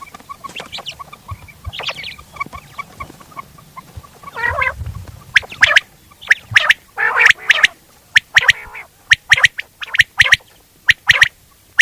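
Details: Mixed nasal squawks at first, then a steady run of sharp quail notes in pairs and triplets, repeating about once a second toward the end.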